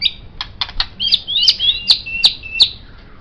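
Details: White-rumped shama, recorded as a master song for tutoring songbirds, delivering quick high clicks followed by a series of sharp whistled notes each tipped with a click, about three per second.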